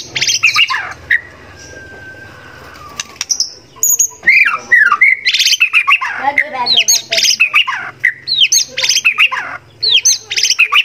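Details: Tutor recording of a singing white-rumped shama, used to provoke kept shamas into song and linked to song contests. Varied loud bursts of slurred whistles, steep up-and-down sweeps and scratchy rattles, starting hesitantly then becoming rapid and continuous.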